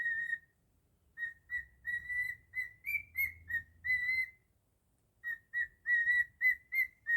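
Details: Cockatiel whistles Jingle Bells in its own style, bright repeated notes with a few higher swoops, a pause of about a second, then a fresh phrase of quick whistles.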